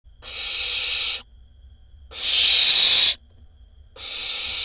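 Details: Barn owl nestling in a nest box in Israel, 20 May 2021, making noise beside its sibling: harsh, breathy hisses, each about a second long, repeated every couple of seconds, with a faint low hum between them.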